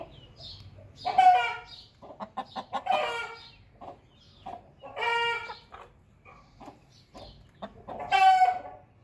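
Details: Hen calling after laying an egg: loud, drawn-out harmonic squawks recurring every few seconds, separated by runs of short clucks.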